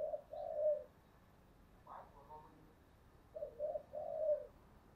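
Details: Spotted dove used as a lure bird, giving two low hollow cooing phrases separated by a pause, soft background noise and a brief faint voice.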